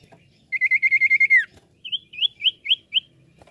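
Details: A Common iora, recorded for use as a lure call, gives a fast, even trill of about nine high notes slurring downward at the end, then five clear, rising whistles spaced about a quarter-second apart.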